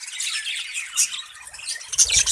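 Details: Budgerigars of a breeding colony give a steady stream of high, raspy chattering calls, rising to sharper squawks near the end.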